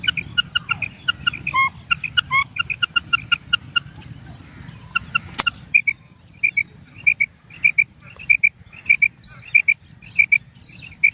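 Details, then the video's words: Female Common Quail raising call: short, high, paired clicky notes repeated about twice a second, with a faster burst of similar chirps at the start. "Female Common Quail Raising Call"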